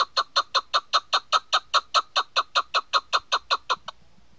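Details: Female chukar partridge giving a steady run of about twenty short, hoarse clucking notes, roughly five per second, for nearly four seconds before stopping; no other sounds.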